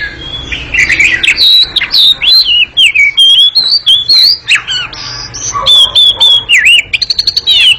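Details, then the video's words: Long, nimble ngekek song of an Oriental magpie-robin: sweeping whistles rising and falling, scratchy chatters and buzzy notes tumble together, ending in a rapid stuttering series of high chips. "Kacer ngekek panjang sangat gesit dan berisik"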